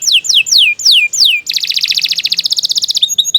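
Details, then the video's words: Loud canary song with slow falling whistled notes, then a fast, dense rattling trill and short high chips at the end. "Kicau Burung Kenari II GACOR PANJANG"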